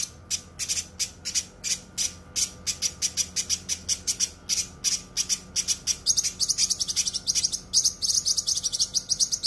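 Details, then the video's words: A densely, sharply singing cucak kinoi for tutoring songbirds: fast, evenly spaced high clicking chatter, shifting after six seconds to a steadier high buzzy trill. "suara masteran cucak kinoi full suara rapat tajam"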